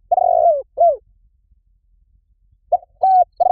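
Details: Spotted dove call used as a lure for wild doves: a long, slightly quavering coo sliding downward, then a short falling coo. After a pause, another phrase begins with clipped coos. Quiet background.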